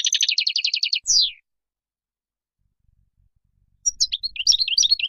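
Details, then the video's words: Wild goldfinch song intended for young birds to hear: a quick buzzy trilled series ending in a downslurred note, a long pause, then a varied run of sharp, tinkling twitters. "تغريد الخلوي أو البري لطائر الحسون"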